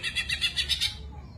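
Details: A caged Greater Green Leafbird, a competition bird with over 50 wins, in fighting mode sings a fast run of bright, high chirping notes, about seven a second, fading after a second; faint low hum underneath.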